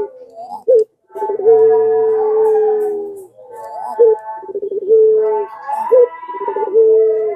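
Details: Barbary dove, pelung style, calling to prompt other doves to answer: repeated phrases of brief rising notes followed by long, steady, hollow coos, several in quick succession.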